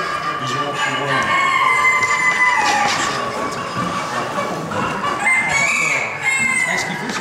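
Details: Cuckoo-patterned Crèvecœur roosters and hens in a crowded poultry show hall at Gournay-en-Bray, France, 3–4 December 2016. Two long, sustained crows, one early and one near the end, over constant hall chatter and other fowl.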